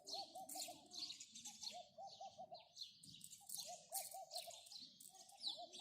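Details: A stream of house sparrow chirps, continuous high twittering with brief gaps, alongside regular groups of low hooting notes from a second bird.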